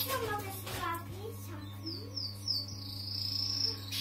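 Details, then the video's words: A Harz roller canary sings for the first time in its new home: high, sweeping whistles followed by a sustained, even trill, after a child's voice, over a steady electrical hum. "Kanarek harceński. Pierwszy śpiew w nowym domu"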